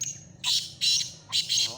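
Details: Black francolin calling in Khushab, a run of harsh, buzzy, high-pitched grating notes in three clustered bursts, with low background hum.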